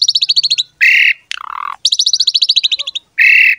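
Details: Pied starling song in 'gacor mompa' style for drawing out other starlings: rapid strings of high staccato notes broken by harsh buzzy blasts and a falling grating call.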